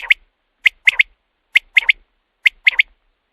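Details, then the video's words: Three quick common quail phrases used at night to lure quail for hunting, each a sharp note followed by a fast pair, spaced close to a second apart. "batair ki awaz raat k liye | quail calling | رات کے لیے بہت ہی اچھی آواز"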